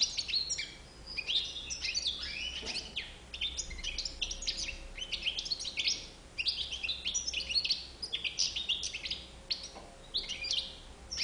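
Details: Extended European goldfinch song of crisp tinkling notes, buzzy rattles and rapid twitters, given in surging bursts with short pauses, over a low steady hum.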